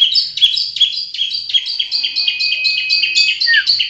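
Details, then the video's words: Long-tailed shrike song for luring birds: quick chains of high chirping notes, each phrase stepping down in pitch, repeated about twice a second, with a steady thin whistle underneath and one falling note near the end. "burung cendet gacor"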